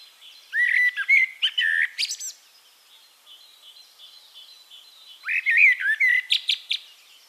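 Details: In Castricum, the Netherlands, a Eurasian blackbird sings two mellow, fluty phrases about four seconds apart, each ending in a high squeaky twitter, with faint chirping of other birds between.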